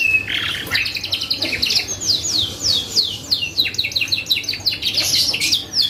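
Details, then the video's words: Vigorously singing canary, a lure recording meant to provoke other birds into answering. Rapid sequences of sharp, descending high notes repeat in quick succession, forming a continuous bright trilled song. "PANCINGAN BURUNG KENARI GACOR"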